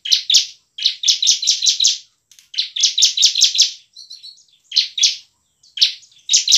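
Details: Bar-winged prinia (ciblek) giving an emotional, fighting-style song meant to provoke other prinias to sing: loud, harsh buzzy chirps in rapid runs of four to six, separated by brief pauses, with a thin high twitter in between.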